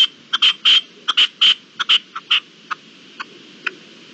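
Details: At dawn on 18 April 2021, a red-legged partridge delivers loud grating, ringing chucks in quick pairs, then trails off into fainter isolated notes.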